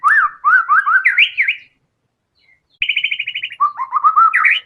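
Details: Murai batu singing tembakan phrases full of isian. Rolling whistled notes rise in pitch over a second and a half, a pause, then a rapid even trill, then another climbing string of slurred whistles.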